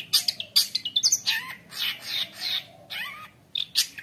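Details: Long-tailed shrike (cendet) song rich in borrowed phrases, used for training young shrikes: harsh, grating squawks and raspy bursts mixed with short whistled slides, then brief pauses and sharp clicks.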